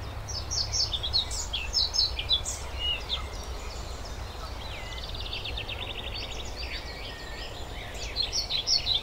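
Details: European pied flycatcher (Ficedula hypoleuca) singing bright, high, sweet phrases of quick chipping notes and a short fast trill, over a steady low rumble of wind or distant traffic.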